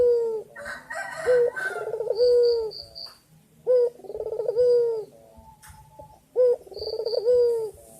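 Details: Male white Barbary dove coos energetically to the female, each phrase a short note then a long pulsing roll, about three phrases, with a brief burst of other chatter near the start and faint high ticking.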